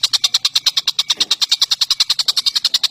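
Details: Tengkek buto (collared kingfisher) or cucak jenggot (grey-cheeked bulbul), from a bird-tutoring recording of champion birds: a fast, steady train of sharp high notes, about eight per second, continuous throughout.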